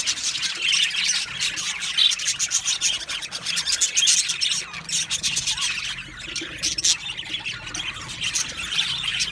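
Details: Many budgies in an aviary colony chattering continuously: a thick wash of high warbling, chirps and clicking notes with no pauses.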